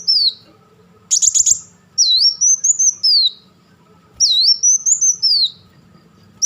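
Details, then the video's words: Black sunbird giving crecetan chatter: a quick buzzy burst, then long swooping high whistled phrases of dipping, rising notes, two full runs with short silences between. "crecetan dan tembakan beruntun Kolibri Wulung"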